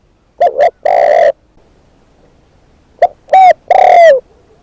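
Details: Spotted dove used as a decoy delivers two coo phrases; the second has a clipped note, a bent hoot, and a long coo that slides downward at the end.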